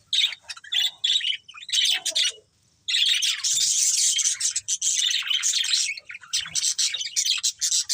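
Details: Breeding pair of budgerigars chattering in busy bursts of high, scratchy chirps and warbles, broken by a brief quiet gap before a long, unbroken stretch of dense twittering.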